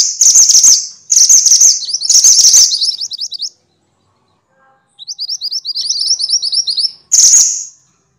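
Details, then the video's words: Three loud bursts of harsh, buzzy minivet chatter (mantenan, sepah), a short pause, then a rapid run of thin, rising whistles and one last shrill burst. The recording is training material for songbirds. "kumpulan suara burung mantenan (sepah) ribut!!"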